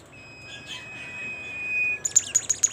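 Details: Bimoli bird in full song: a long thin level whistle held for over a second, followed by a burst of five rapid, piercing high chirps.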